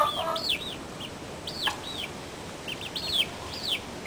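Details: Backyard chickens: short, high, down-curving peeps in small clusters every second or so, with one faint lower call at the start.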